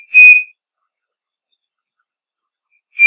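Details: Striped cuckoo giving two pure, level whistled notes, each short and clear, spaced about three seconds apart, with silence between and no other sounds.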